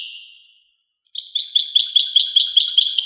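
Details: Goldfinch: a fading drawn-out note, a second of silence, then a rhythmic series of bright twittering chirps repeated a little more than twice per second.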